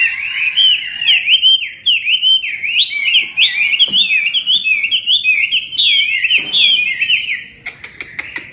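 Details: Bird singing in the hót xoè style, fanning its tail while delivering a full song: a rapid, continuous run of bright warbled, looping whistled phrases, steady and loud throughout, faint clicks near the end.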